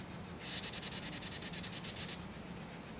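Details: Carolina wren giving an alarm or warning call in response to pishing: a harsh, hissing rasp of rapid pulses lasting about two seconds, over a low steady background rumble.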